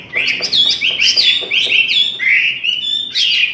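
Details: Chinese hwamei in a singing contest, pouring out loud, rich whistled phrases that slide and warble high, in nearly unbroken bursts with brief pauses between phrases.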